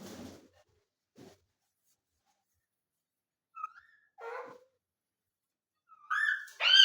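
A rose-ringed parakeet gives a short whistle, a nasal wavering phrase, then two loud, shrill, rising-and-falling speech-like squawks, after a brief rustle at the start.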